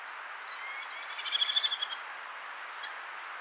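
A Merlin gives a quick, shrill chatter of about a dozen sharp notes in under two seconds, then one lone note, over a soft background hiss.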